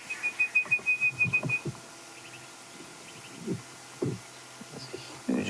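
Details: An Orange-breasted Bushshrike in a party of birds, not alarm calling, with babblers also heard, gives a quick run of about nine clear, even whistles on one pitch, followed by a man's low voice and faint bird chatter.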